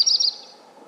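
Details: Yellow-rumped warbler (Setophaga coronata) call: a brief, high, fluttering burst of chips lasting under half a second, then fading into quiet outdoor background.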